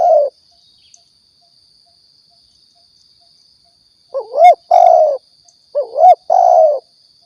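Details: Spotted dove from Riau, recorded as a lure for hunting: low hooting coos, one ending at the start, then two phrases each a short rising double note followed by a longer falling coo, with a steady faint high whine throughout.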